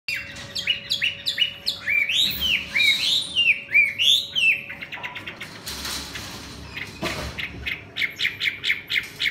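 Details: Wild female Chinese hwamei singing a fast, varied run of loud rising and falling whistles and sharp chirps, with a steady low hum and a brief rustle midway.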